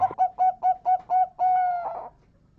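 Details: Champion zebra dove cooing, used to lure and attract birds: six rapid, bouncing notes that end in one long, steady drawn-out coo fading away.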